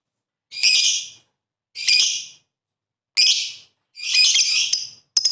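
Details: A lovebird's ngetik ngekek calling, meant to prompt rival birds to start singing: five rasping, high, noisy bursts, each under a second long, separated by clean silences, the fourth one longer and more broken.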